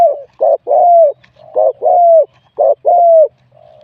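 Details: Wild spotted dove cooing in a singing contest, scored 87 for its mid-to-large voice; three clear phrases, each a short coo leading into a long, level then dropping coo.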